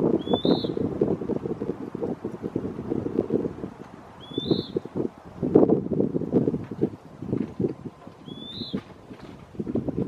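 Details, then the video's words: Western wood pewee (Contopus sordidulus) calling at Lawrence E. Wood Picnic Area: three high, hoarse, downward-slurred notes about four seconds apart, with strong gusty wind noise throughout. "Western Wood Pewee (Contopus sordidulus) Calling Singing"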